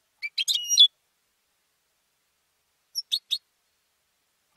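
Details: Captive-raised competition European goldfinch, a male bred and trained at home, singing: a short bright burst of tinkling notes with a rising whistle, then three quick chips after a pause, nothing else audible.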